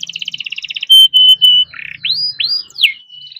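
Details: Captive canary song used to stimulate quiet canaries: a buzzy rolled trill, three loud pure whistled notes, a low rattle, then looping rising-falling whistles ending in a soft held tone.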